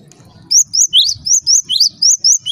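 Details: A Java sparrow calls, a sound said to make other Java sparrows start calling: a steady string of eight high, sharp chirps with slurred rising and falling notes, after a brief quiet start.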